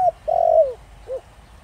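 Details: Lure coo of a spotted dove in the Thổ Đồng style: the end of a short coo, then a long, throbbing note falling in pitch, and a brief rounded coo closing the phrase.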